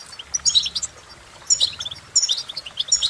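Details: European goldfinch giving three short bursts of sparkling, tinkling twitter, each burst about half a second long, separated by brief quieter gaps.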